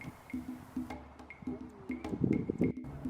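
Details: Only soft instrumental music with steady low tones and light plucked or dripping notes; no animal voice can be picked out.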